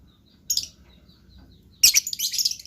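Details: Blue lovebird, kept as a pet, singing: a short high chirp, a pause, then a dense run of shrill, scratchy twittering notes.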